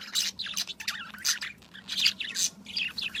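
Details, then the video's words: Birds chirping among flowers in the morning: bright, high, choppy chirps in short bursts, roughly one cluster every second, irregular and lively, with a faint low hum behind. "Birds Chirping in the Morning"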